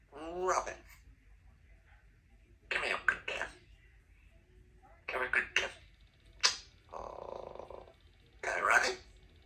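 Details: A 2-year-old female Congo African grey parrot, a pet at home, talks in short speech-like bursts and word imitations, about one every two seconds, with a clicking note and quiet room hum.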